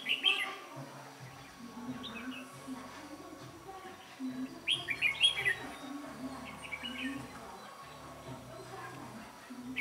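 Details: Red-whiskered bulbul kept as a decoy during trapping, singing to provoke fights; short, bright chirpy phrases burst out at the start and again midway, while a man talks steadily in the background.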